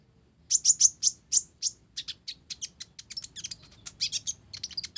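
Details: Olive-backed sunbird (kolibri ninja, blorok type) singing actively with sparrow-style filler: a rapid burst of very high, sharp chirps, loud at first then softer, quick varied twittering notes packed several per second.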